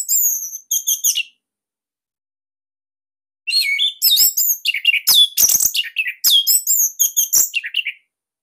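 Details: Orange-headed thrush, Bali form, kept in captivity, whose loud, tightly packed song is offered as a master: a short high whistled burst, two seconds of silence, then a fast, jumbled stream of sharp whistles and buzzy twitters.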